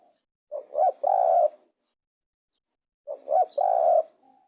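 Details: Spotted dove giving two cooing phrases, each a short soft note, a quick looping double coo, then a longer steady drawn-out coo, with a pause of about a second and a half between them.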